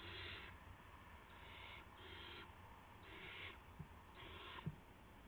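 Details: Owls after midnight on 19 March 2016, adults delivering mice and a gopher to owlets; five drawn-out, harsh hissing screeches of uneven strength, with faint clicks and a steady low hum.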